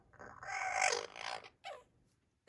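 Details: A two-month-old African grey parrot chick gives a harsh, wavering squawk lasting about a second, followed by a shorter, lower rasping note and a brief clipped sound at the end.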